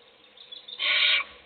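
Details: Faint scratching, then a single rasping hiss lasting under half a second from an owl feeding a chick inside a nest box while its nestmates sleep.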